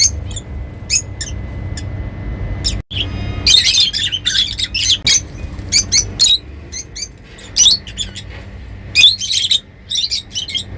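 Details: Lovebirds, described as happy, chattering in a small room: rapid bursts of shrill, harsh high chirps and squawks, irregular, roughly forty a minute, with brief pauses and faint background hum.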